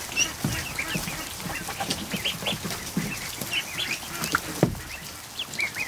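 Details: Afternoon in a barn with over a hundred freshly hatched ducklings in a kiddie pool: dense, overlapping high peeps, some rising and some falling, with soft dabbling and splashing sounds below.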